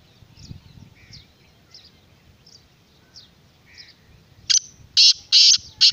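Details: Black francolin (kala teetar) giving a loud, harsh phrase of four grating, buzzy notes near the end, after several seconds of faint, repeated high chirps from small birds over low rumbling background noise.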